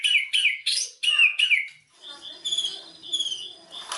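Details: White-rumped shama lure song: five loud, slurred, whistled phrases in quick succession, then softer, thin, high, drawn-out whistles over a faint background murmur.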